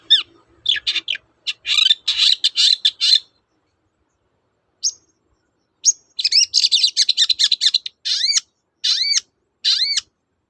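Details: Long-tailed shrike in energetic 'toet-toet' singing, used as a lure to prompt silent shrikes to sing again; dense bursts of harsh, buzzy chattering notes, a pause, then more chatter ending in clear rising-falling arched whistles.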